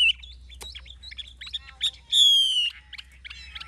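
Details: Caged adult wild-caught Chinese hwamei singing in forest-voice style: a jumble of clear high whistles and short chips, with a loud, long, slightly falling whistle in the middle and quick varied phrases after.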